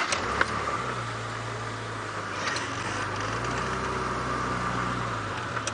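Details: Idling safari vehicle engine hums steadily on a sunset drive at 5:30 PM, with a few clicks and no animal voices.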